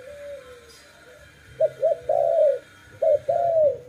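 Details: Low, mellow dove coos: a soft drawn note, then two phrases of quick short hoots ending in a long gliding coo.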